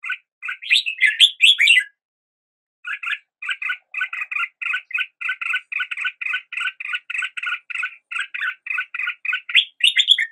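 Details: After a short burst of warbling, a red-whiskered bulbul delivers a long, steady series of short, doubled chirps, about four per second, ending in rising whistles; surroundings are silent.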